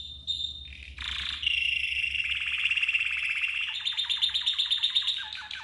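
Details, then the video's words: Red canary in training song: short whistles open a long rapid trill that turns into quickly repeated sharp downward notes, with a low hum beneath. "The Best Red CANARY Training Song"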